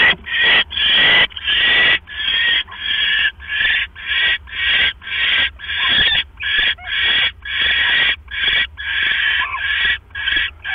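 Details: Nesting owls at night, male bringing a rat which the female eats quickly before settling on her eggs; a rapid series of about twenty rough, noisy screech bursts, roughly two per second, fairly steady.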